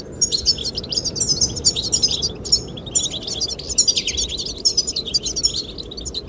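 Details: Singing goldfinches, trying to attract the female, produce a busy stream of high chirps and buzzy trills, with wind gusting beneath.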